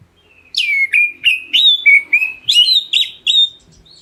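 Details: Oriental magpie-robin of the black-breasted form, used to goad other birds into answering: eight or nine clear whistled notes at steady intervals. Downslurred notes are followed by a higher, more rising group near the end.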